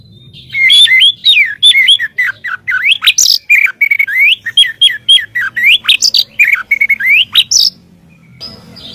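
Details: White-rumped shama singing continuously for training songbirds: a long, fluid string of clear, bending whistles, rising and falling notes rapidly alternating, ending in a short high buzzy flourish.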